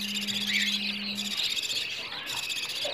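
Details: Begging calls of budgerigar chicks asking for food, used as playback, morning and evening, to encourage budgies to breed. A continuous harsh, buzzy high chorus, with a steady low hum for the first second or so.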